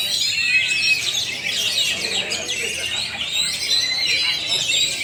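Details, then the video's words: Newly arrived Oriental magpie-robin, not yet conditioned, hung up at once; fast, busy warbling of sharp chirps, rising and falling whistles and rapid trills packed closely together, loud and continuous. "BEGINI KALAU BURUNG KACER belum di setel (baru datang langsung gantang)"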